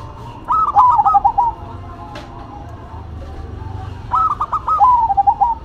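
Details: Two zebra doves, a local bird and a cemani, trade songs: two phrases of rapid broken coos, about three seconds apart, with quieter cooing between and a low rumble.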